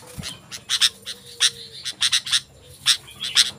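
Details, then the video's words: Sooty-headed bulbul song played to draw in wild bulbuls and to train birds at home: clusters of sharp, high chirps and brief twittering phrases, with a constant low hum beneath. "Suara Burung Kutilang Gacor, Ampuh untuk Masteran dan Pikatan Burung Kutilang Liar Langsung Nyaut"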